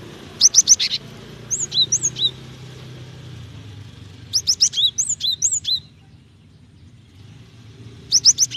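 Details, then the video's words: Java sparrow female calls out to a male, a call used to prompt males into song; rapid high chip bursts alternate with clear, slurred hooked whistles in a lively run, over low traffic-like rumble. "Gelatik betina gacor memancing bunyi"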